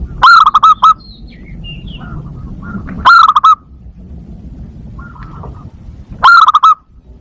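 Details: Zebra dove lure call for attracting wild birds and stimulating breeding: three loud bursts of rapid staccato cooing notes roughly every three seconds, with faint higher chirps from other birds between them.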